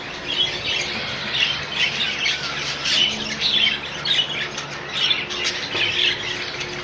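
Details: Many rainbow budgies kept as a colony, their high squawks and chirps rising and falling in loose pulses about every half second over steady background chatter.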